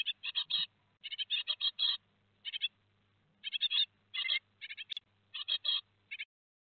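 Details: Nestling great tits at Théding, 15 July 2020, two days before fledging, produce busy bursts of grating high chirps in groups, with a faint steady hum beneath.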